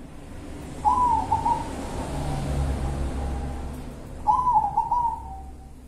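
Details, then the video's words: Zebra dove of local stock in the kuntilanak song style: two separate phrases, each a brief trilled coo trailing into a long, soft, even note, with a low rumble underneath. "Perkutut kuntilanak"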